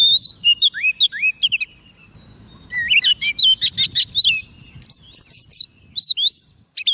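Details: Oriental magpie-robin song for calling wild birds: a fast stream of crisp whistled upslurs and downslurs mixed with chattering buzzy notes, with a brief lull before a renewed rapid burst.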